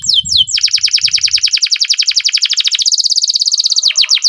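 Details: Long continuous canary roll: a very fast trill of sharply descending notes held for several seconds, speeding up and tightening, then a few slower sweeps at the end.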